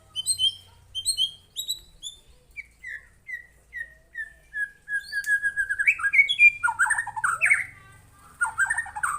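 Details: White-rumped shama in full, emotional song answering a lure recording and revealing its imitations: paired high chirps, then a steady series of short whistled notes dropping in pitch, building into rapid, rich warbles and buzzy flourishes.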